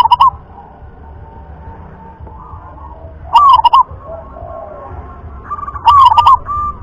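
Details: Local wild zebra dove of the favoured rhythm class cooing. The tail of one phrase is followed by two full staccato phrases, each a rising note then rapid pulses, spaced about 2.5 seconds apart, with faint distant calls.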